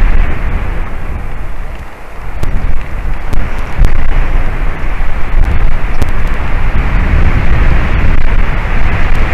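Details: Loud wind buffeting the microphone with roaring gusts and scattered sharp clicks, and no animal calls.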